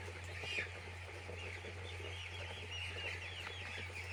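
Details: Flock of chicks in a poultry farm giving many thin, high peeps, some slightly rising, blending into a constant chatter above a loud, steady low hum from farm machinery.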